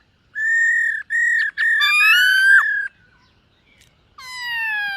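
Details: Black-throated laughingthrush, singing and displaying during morning voice practice, gives three sustained level whistles, a rich warbled whistle with a falling end, a pause, then a long descending whistle.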